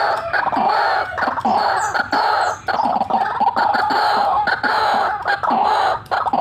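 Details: Loud white-breasted waterhen calling in cackling, rolling fashion: harsh nasal croaks delivered in long steady runs separated by short gaps.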